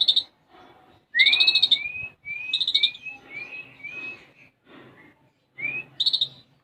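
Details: Energetic olive-backed sunbird (konin) song, gacor with isian gereja sparrow imitations. Rising whistled slurs repeated in a series, mixed with brief buzzy trills and softer chattering notes.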